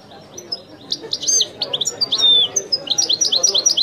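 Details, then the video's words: European goldfinch singing in the authentic Wedani song style: a fast, high twittering run of short bright notes and tinkling trills, with buzzy rising-falling phrases and one clear drawn whistle, over a low background murmur. "chant de chardonneret تغريد الويداني الأصيل"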